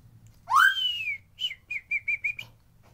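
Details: White-rumped shama lure, unedited natural sound for prompting lazy birds to sing and come into breeding condition. A loud upslurred whistle rolls into a wavering descending note, then six quick short whistles follow.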